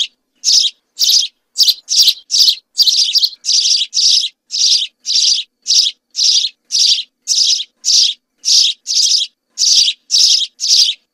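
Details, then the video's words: A group of house sparrows singing: loud, harsh chirps repeated steadily, nearly two per second, with short clusters of quicker notes near the start and clean silence between. "عصفور الدوري الكحالي مجموعة طيور تغرد صافي song house sparrow"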